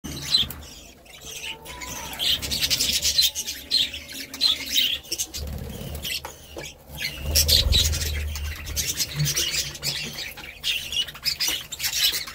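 Budgerigars chatter in a busy flock, with rapid high chirps, squawks and warbling notes overlapping throughout.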